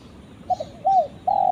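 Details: Spotted dove calling its companion: a short low cooing phrase of two quick notes, a longer slurred coo and a final steady held note, over faint background hiss.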